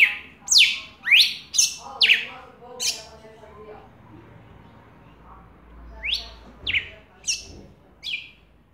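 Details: Red-cowled cardinal, known locally as galo-da-campina, singing while calling a female, recorded live; bursts of sharp descending whistled notes in quick succession, then a quiet pause with faint low sounds, then a further run of high notes.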